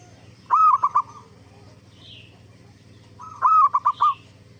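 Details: Lure recording of an actively singing zebra dove, meant to prompt other zebra doves to reply. Two rolling coo phrases, each a drawn-out note breaking into a rapid run of short notes, about three seconds apart over a constant low hum.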